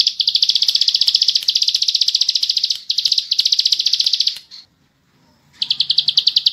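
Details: Ciblek sawah (bar-winged prinia) singing 'full bren' for use as tutor material. High, rapid chipping notes in several long runs, then about a second of quiet before the fast series starts again.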